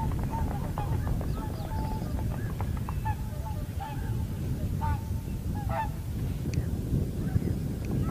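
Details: Common cranes in Heinä-Suvanto nature reserve, Viitasaari, 26 April 2011, call in a chorus of sharp trumpeting notes with crackling bursts between them, all over steady low wind noise.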